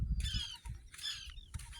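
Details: Small Pratincole parents at a breeding site give two quick bursts of high, thin, chattering alarm notes, about half a second each, over low wind or handling noise. The site is a sandy river beach near Hat Suk Samran, Bueng Kan, on the morning of 10 April 2024, near an unfound nest or chicks.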